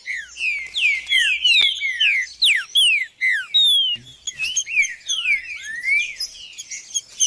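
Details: Green-winged saltator (trinca-ferro judas) in loud, rapid series of steeply falling whistles, strong and crowded, a short break near the middle, then more slurred notes; used for warming up a cold bird.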